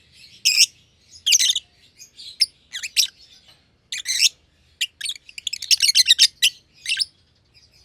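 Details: Green personata and green pied personata lovebirds in an aviary chirping: loud scratchy single calls early, then a fast stuttering burst of high chirps, ending with more isolated rasping notes.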